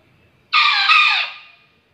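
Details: Bekisar (junglefowl hybrid), a rare fowl: a single harsh, high-pitched crow about a second long, rising sharply then trailing off, in an otherwise quiet setting.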